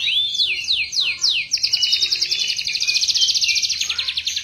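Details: Canary singing: a few falling slurred notes, then a long fast buzzy trill held high, with rapid repeated pulses to the end.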